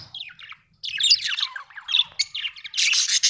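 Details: Budgie warbling almost nonstop: dense, scratchy, chattering phrases with quick up-and-down twitters and a louder buzzy burst at the end.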